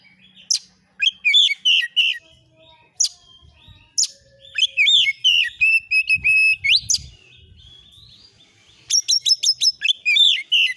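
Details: Master recording of oriental magpie-robin song intended to provoke replies: sharp strident notes, then a long varied run of whistled and buzzy phrases, a quiet gap, and a closing burst of rapid chips.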